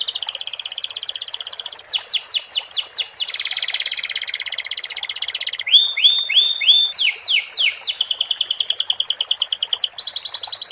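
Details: Canary song with sikatan londo phrases, set against water sounds. Long rapid trills alternate with series of sharp downswept whistles and a run of upslurred notes, nearly without pause.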